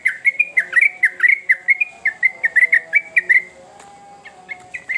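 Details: Lively sooty-headed bulbul song meant as a lure for young birds: rapid strings of clear whistled notes with quick downward slurs, chattering for about three and a half seconds, a pause, then a few more notes; faint low tones behind.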